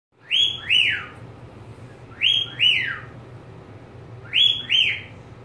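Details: Pet budgerigar giving paired, downward-sliding whistled notes, each pair rich in overtones and spaced about two seconds apart, three pairs heard over a steady low indoor hum.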